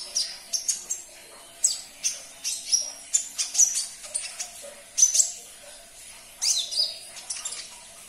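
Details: Song of a sunbird meant to coax a caged bird into singing: irregular series of sharp, very high chirps and short sweeping notes, bunched in quick clusters with uneven pauses.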